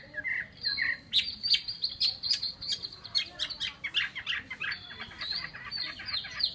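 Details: Chinese hwamei kept as a cage bird, singing quick, bright, repeated high whistled notes in a steady lively stream.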